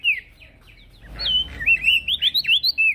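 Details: Male prinia singing actively, used as a training recording for other birds: a quiet opening whistle, then a fast string of loud, bright, looping whistled notes, about ten in under two seconds.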